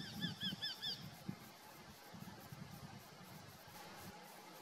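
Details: Eurasian hobby (Falco subbuteo), calls: squabbling over a food delivery.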